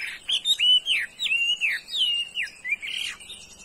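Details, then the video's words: Chinese hwamei singing long, loud whistled phrases, some held flat and some sliding down sharply, strung together in a flowing varied melody. "mi đảo giọng hay"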